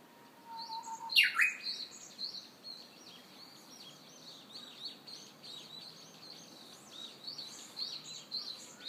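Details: A Japanese bush warbler in Hiroshima in early summer, 30 May 2013, gives a long, steady, slowly rising whistle, then a loud, quick, falling flourish, while other small birds chatter high and thin throughout.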